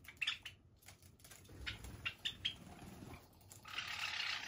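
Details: Java sparrows, part of a flock of about 31 kept free-flying in a room, give short, high chirps: a quick pair first, then a run of four or five sharp notes, ending in a burst of rustling, hissing noise.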